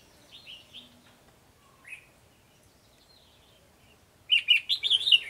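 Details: Bulbul trapping, 12 July 2020: a white-cheeked red-whiskered bulbul hopping about and flicking its tail gives a few soft chirps, then a loud, fast, jumbled series of sharp high twittering notes.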